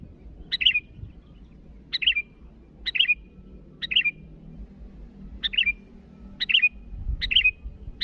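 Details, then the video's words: Sooty-headed bulbul calling rivals, giving brief rich whistled phrases that open with a sharp note and fall away, repeated roughly once a second with short gaps, over low background noise. "Suara burung Kutilang Gacor memanggil lawan"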